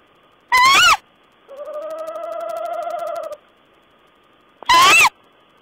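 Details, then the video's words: Owl conversation from 14 April 2010: a loud, brief, upward-bending screech, a two-second wavering trill, then another screech like the first. "Owl's talk"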